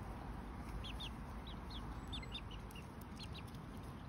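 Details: Two-month-old Lemon Millefleur Sablepoot bantam chicks, almost fully feathered, three hens and three cockerels, in a garden: thin, high peeping notes in short bursts over a steady low rumble of background noise.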